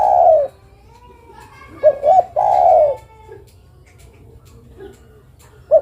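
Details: Spotted dove female calling the male: a trailing coo at the start, then one full phrase of two short hoots and a long falling coo, with soft low murmurs and another call beginning at the end.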